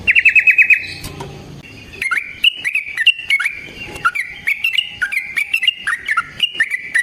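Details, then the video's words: Yellow-vented bulbul in a long fighting song, used to provoke and train other birds: an opening rapid rolling trill, a brief pause, then steady chattering phrases of liquid whistled notes with sharp clicks. "Burung TRUCUKAN GACOR Ropel Panjang Cocok untuk PANCINGAN Trucuk bahan dan MASTERAN Burung Trucukan"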